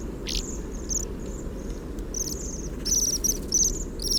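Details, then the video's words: A flock of Bohemian waxwings resting after swallowing frozen rowan fruit give high, thin, buzzy, overlapping trills, quiet close-range sounds picked up with a parabolic microphone, over low wind rumble. "In order to hear what the waxwings whisper about, we use a large ear - a microphone with a parabola."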